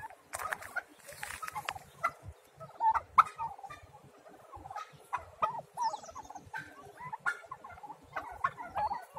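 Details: Small domestic turkey chicks, several together, giving short peeping and chirping calls scattered across the clip, some brief rising notes around one kilohertz, with low rustling and handling noise underneath.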